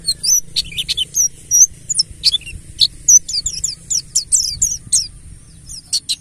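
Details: Ngalas-style mountain white-eye song meant to trigger other birds into singing: scattered thin, very high chirps and short slurred notes, fairly soft, with irregular gaps and a low hum underneath.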